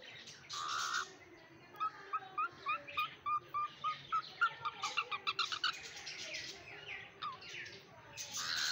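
A cockatiel gives a rapid series of short chirping notes between louder harsh screeches.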